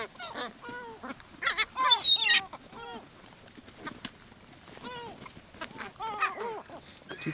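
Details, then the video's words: Seagulls gathering to be fed on Brean Sands beach, Somerset, England, in April 2013, give a dense run of yelping, falling mews and one loud screech, many birds calling at once in quick succession. "Seagulls Sea and Sand"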